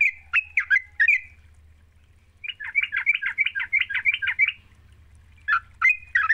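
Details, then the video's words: Yellow-vented bulbul song used as a lure to get a reluctant bird singing: bubbly, chattering phrases, then a fast run of short warbled notes repeated about three times a second, with a faint low hum underneath. "Pancingan trucuk GACOR, sekali dengar trucukanmu gak bisa diam."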